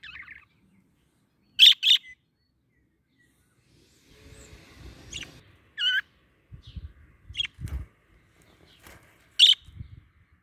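Budgerigars give sharp, bright chirps in quick pairs, with a short burst of warbled chatter between them.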